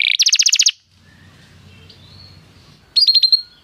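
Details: Canary song intended to make a canary sing: a short burst of rapid high buzzy notes, a pause with faint low background, then another quick trill.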